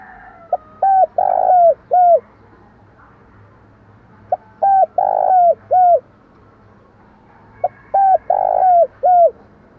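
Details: Decoy spotted dove cooing to lure others. A phrase of two quick low notes, a long swelling coo and a falling final coo, repeated three times about every three and a half seconds. Faint background hum.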